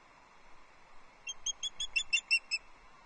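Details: Loch Arkaig female osprey fish calling for her mate on 6 July 2024; after a quiet start, a burst of about nine high, sharp chirps, uneven in loudness, over faint nest-camera hiss.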